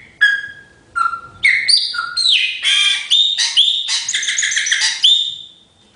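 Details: Chopi blackbird song opening with two clear, flat whistles. It breaks into a fast, jumbled run of gurgling, buzzy and slurred notes, then ends on a long rising whistle.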